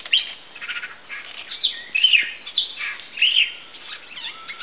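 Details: Common green magpie at Fraser's Hill giving a quick series of harsh, squeaky chattering notes, some rising and sliding, with one longer thin whistle near the end.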